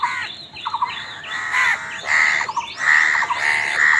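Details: Crows squabbling over food: loud, grating caws and squawks with short stuttering notes, repeated irregularly about once a second as the birds fight.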